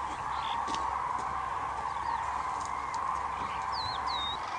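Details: Wintering common cranes in the Hula Valley wetlands form a dense, continuous chorus of trumpeting calls from a large flock, with a few thin, high whistles from other birds over the top.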